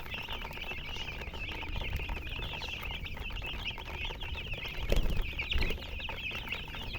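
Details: Baby chicken chicks chirping together: a dense, continuous chorus of high, quick, slightly downslurred peeps overlapping without pause, over a steady low rumble with a brief thump near the fifth second.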